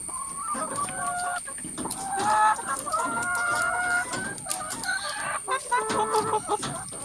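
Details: Lots of chickens in a coop keep up a busy chorus of moaning, drawn-out calls and short clucks. The calls overlap in rough waves, over a faint steady whine.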